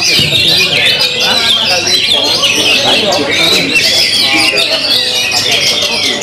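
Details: Oriental magpie-robin (kacer) singing in the nyeklek style at full power: a dense, fast run of shrill chattering and whistled notes, varied and nearly unbroken, with faint voices beneath.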